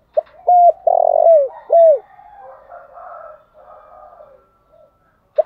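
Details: Morning call of a decoy spotted dove: crisp short coos, one long vibrating coo sliding downward, then a clear falling note, followed by faint rustling background noise and a last brief coo.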